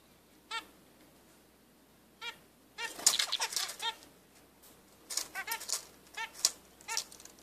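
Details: Two-day-old zebra finch chicks give thin, squeaky begging notes, singly at first, then in quick clusters, mixed with rustling scratchy noises.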